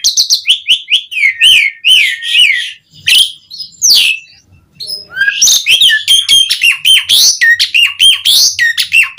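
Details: Full, varied song of an Asian pied starling calling other starlings: rapid strings of descending whistles, sharp clicks and squeaky chatter, with a brief pause midway before the busy phrases resume.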